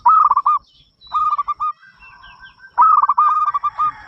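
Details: Zebra dove of local stock with a big voice, prompting other doves to sing: three phrases of rapid, slightly descending cooing notes, the last phrase longest, with a soft steady high hum.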